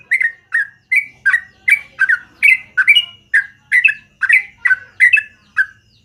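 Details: Yellow-vented bulbul, a long, lively morning song: a steady series of sweet, gurgling two-part notes, roughly two and a half a second, some rising, some dropping, on a quiet background.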